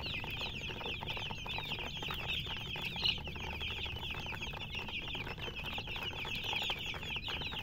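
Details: Chickens chirping in a constant chorus of rapid, high, slightly descending peeps, with a brief louder note near the middle and a low hum underneath.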